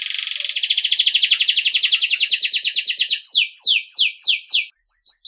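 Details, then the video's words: Campainha (bell) song of a Belgian canary for training young birds: a long loud rapid pulsing trill, then a series of quick downward-swooping whistled notes. "Canário belga campainha para treinar filhotes"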